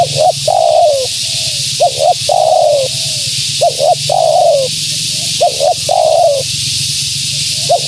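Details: A female spotted dove's vigorous calling, meant to attract wild birds: four rhythmic phrases of a double clipped note followed by a long downslurred coo, faint coos between, against broadband hiss and a low hum.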